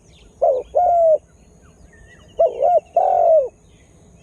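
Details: Lure spotted dove, newly calling hard, used to draw wild birds; two coo phrases, each a short bumpy note followed by a longer smooth note that slurs downward.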